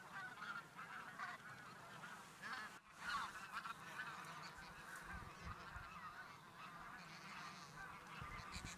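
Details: Migrating geese crossing from fields to a lake to rest for the day, a whole flock honking together. Continuous overlapping nasal honks, with a brief gap near three seconds, then a louder burst of calling.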